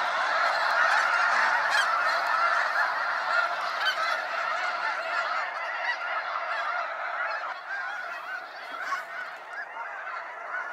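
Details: Waves of snow geese in a sunset fly-out at Sacramento National Wildlife Refuge; loud dense honking chorus that eases slightly toward the end, with a few sharp clicks.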